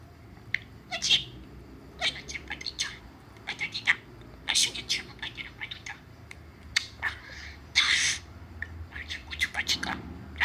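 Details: A budgerigar chatters in quick, scratchy bursts of high chirps and clicks while being played with.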